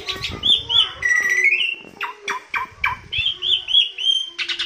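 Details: Asian pied starling, a tame and chatty bird, in a recording meant to lure or train other birds: clear slurred whistles mixed with harsh downward strokes and short chirps in an uneven run.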